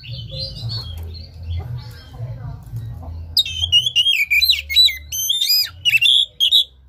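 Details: Oriental magpie-robin song used to coax a sluggish caged bird out of silence; faint twittering first, then a loud burst of varied whistles, sweeping slurs and piercing high notes in fast, broken phrases, low hum underneath.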